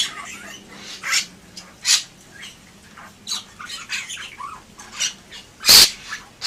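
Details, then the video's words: Bali myna (Leucopsar rothschildi), a white starling, singing actively: scattered harsh, buzzy squawks and short noisy chattering notes at irregular intervals, one sharp loud click near the end, over a faint low hum. "Suara Burung Jalak Bali Gacor"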